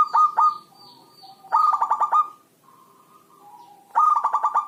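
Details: Local zebra dove singing to coax other zebra doves to call; three bursts of fast trilled cooing notes, the phrases separated by quieter soft tones and gaps.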